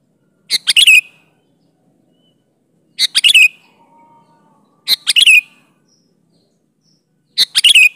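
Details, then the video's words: Sooty-headed bulbul singing energetically with natural phrases, meant as a lure for wild bulbuls; four clipped phrases of three or four rasping, bubbly notes, repeated about every two and a half seconds. "Variasi Suara burung Kutilang Gacor Full isian Alam di Jamin cocok buat pancingan kutilang"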